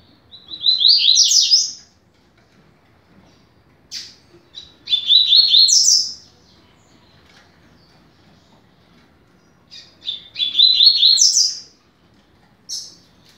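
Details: Double-collared seedeater teaching song, fast 'rápido de bico' style. Three rapid, high phrases, each climbing to a squeaky peak, come roughly every four to five seconds with brief single chips between them. Quiet surroundings.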